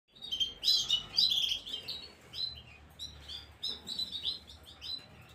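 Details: Gloster canary singing, recorded 9 January 2023: dense bursts of bright, high chirps and short trills, loudest early on, then lighter repeated twittering phrases roughly twice a second with brief pauses.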